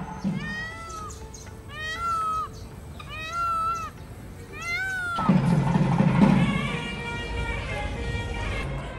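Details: Peacock in an enclosure at Kallumalai Temple, Ipoh, Malaysia, 10 a.m. Thursday: four loud, nasal, wailing calls about a second apart, each rising then falling, before wedding music and voices take over.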